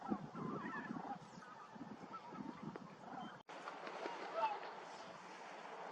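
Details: Bean geese at a winter bird site in Cheorwon, Gangwon, a frontline area with rivers, reservoirs and farmland, honking in an overlapping chorus of deep, nasal calls; a brief cut breaks the sound partway through, with faint wind behind.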